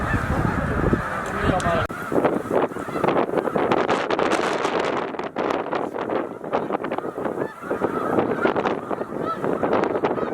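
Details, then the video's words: Snow geese at peak migration at Middle Creek wildlife refuge, about 100,000 birds: the honking chorus is joined by a loud rushing, flapping roar, rising and falling in surges through the clip. "100,000 Birds in One Place - Snow Geese Migration Moment"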